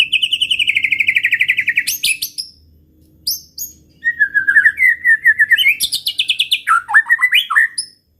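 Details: White-rumped shama song used to provoke rival birds: a fast run of repeated whistled notes near the middle of its range, a pause, then a lower slurred warble rising into sharp high chips and descending notes.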